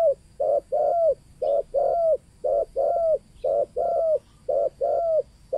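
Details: Spotted dove, local 'kuk 2' call used as a lure for wild doves: a clean, regular rhythm of short coo then longer slurred coo, repeated about once a second, loud and clear.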